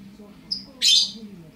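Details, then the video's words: Quail chick just five minutes out of the egg, calling: a faint thin high note, then one loud, harsh, high-pitched peep lasting about a quarter second, over a low background hum. "kwartel van 5 minuten oud (quail 5 minutes old)"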